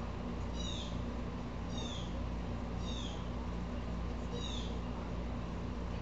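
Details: Four harsh, downslurred calls from an upset blue jay that is agitating squirrels too, spaced about a second apart against a constant low droning hum.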